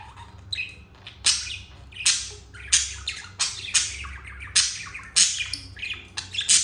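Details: Pet budgies in a happy moment: bursts of scratchy, high chatter and squawky chirps arriving in irregular clumps roughly every second, with quieter warbling between them.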